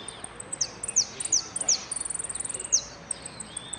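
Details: A yellow saffron finch singing at a song competition in Merlo, 3 December 2017: very high, thin chirps with quick downslurred notes and a fast run of ticking notes, over a faint background hiss.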